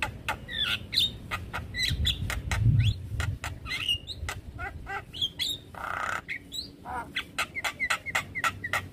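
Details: Stressed Javan myna answering another myna's call: bursts of grating rasps and clicks alternating with short whistled squeaks, plus a longer noisy screech midway, over a low background rumble.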